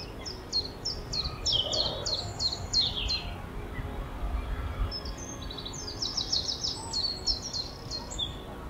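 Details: Common chiffchaff (Phylloscopus collybita) singing in spring at RSPB Rainham Marshes: two runs of sharp, high, dropping notes, about three a second, with a low rumble of wind and distant traffic behind.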